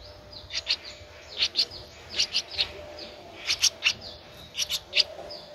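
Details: Streak-eared Bulbul nestling, 13 days old, recorded 15 April 2023 in Ubon Ratchathani, Thailand: high chirps in quick pairs and clusters separated by short pauses, clean quiet background.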